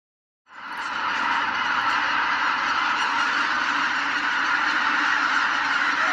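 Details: A huge flock of greater white-fronted geese, said to exceed 100,000 wintering birds, lifts off at Izunuma, Miyagi, Japan, at dawn or dusk: a dense roar of overlapping yelping honks merging into a continuous clamour.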